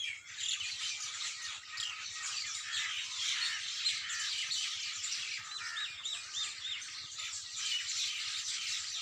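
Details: Birds singing at dawn in a busy, unbroken chorus: countless high twittering and chirping notes overlap, with rapid trills and short whistles woven throughout.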